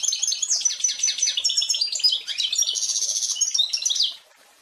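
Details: Hybrid goldfinch × canary (pintagol) delivering a lively high twittering song of rapid trills, buzzy phrases and a few pure whistles for about four seconds before stopping.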